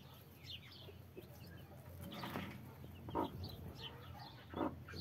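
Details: Hen with a large brood of 33 chicks: two low, clipped clucks spaced over a second apart, a soft rustle or flutter earlier, and thin chick peeps scattered throughout.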